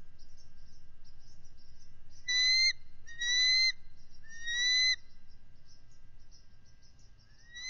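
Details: Bald eagles on high alert at their nest with an egg on February 18, 2023, as a mature adult intruder enters the territory. Three high, slightly rising whistled notes with harmonics, each about half a second long, over a faint chatter and insect hum.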